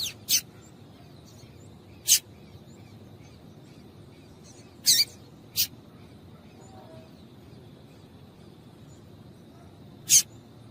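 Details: Female double-collared seedeater calls used to get males singing: isolated high, clicking chips spaced irregularly several seconds apart, some paired, with a faint hum between them.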